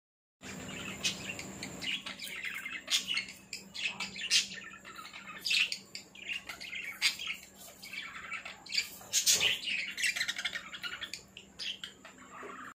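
Budgerigars chatter steadily with rapid, scratchy chirps and warbling squeaks.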